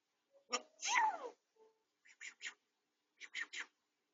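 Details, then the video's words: Pet grey parrot at home, recovering from a sore beak tip yet still talking, recorded on a home camera: one long swooping speech-like phrase, then two clusters of three short clipped syllables. "아파도 말은 포기 못하는 앵무새, 회색앵무"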